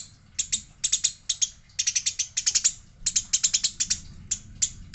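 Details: Eurasian tree sparrow, described as fighting, with a female also mentioned; dense bursts of harsh, rapid chirps in quick ratcheting runs, repeated every half second or so over a low background hum.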